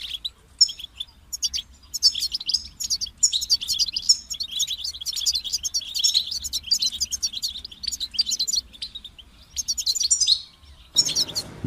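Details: European goldfinch delivering long runs of rapid twittering and buzzy trills, a pause near the end, then a short burst with a rushing noise underneath.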